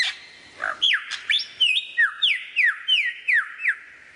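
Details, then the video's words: Lyrebird giving a varied song: after a short low note, about nine clear whistled notes dropping in pitch, repeated roughly every third of a second. "suara variasi burung lyrebird"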